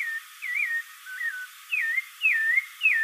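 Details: Caraxué, the spectacled thrush, whistling: several slurred, wavering phrases, some rising then falling, separated by brief gaps.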